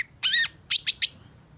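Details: Long-tailed shrike (cendet, pentet) giving a short gacor phrase: one harsh, buzzy warbled note followed by three quick scratchy high notes.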